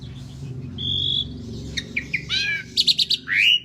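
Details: Asian pied starling in full song for training other birds: a steady whistled note, then short clipped notes, a descending sweep, a quick series of high buzzy pulses and a final rising whistle over a low background rumble.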